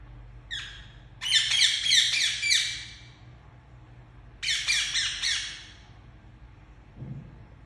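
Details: A pet Indian ringneck parakeet gives one short squawk, then two long bursts of rapid, grating calls, several per second, and a soft low thump at the end.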